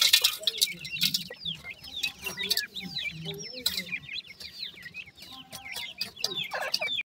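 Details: Newly hatched grey francolin chicks peeping in a busy chorus of short, high, downward-slurred chirps, a few louder scratchy bursts and a faint low hum in the background.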